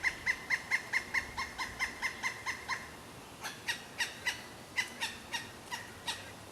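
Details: Pileated woodpecker giving two runs of loud, ringing, evenly pitched notes: a fast run of about a dozen, then a slower, more spaced series; faint background hiss.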